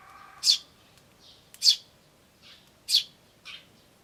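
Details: Eurasian tree sparrow chicks and adult birds, recorded 10 May 2013: loud high chirps alternating with softer, lower answering notes, roughly three strong calls in four seconds.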